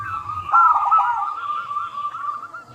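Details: Zebra dove of local stock giving a lure song meant to make other doves reply; steady warbled rolling coos in one continuous stretch, slightly stronger around the middle, over faint low background hum.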